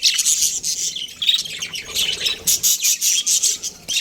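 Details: Chirping budgerigar breeding pair: harsh squeaky warble at first, then a run of evenly spaced short chirps about four per second near the end.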